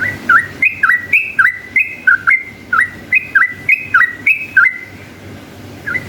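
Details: Energetic yellow-vented bulbul in ropel panjang, a long rapid song used to make other bulbuls answer. About ten bubbly two-note phrases in quick succession, sharp clicks between them, a short pause, one final note.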